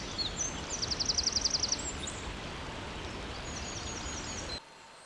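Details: Eurasian nuthatch (Sitta europaea) giving a quick run of about ten sharp, high piping notes, then fainter thin notes, over a steady rushing background of wind-like noise.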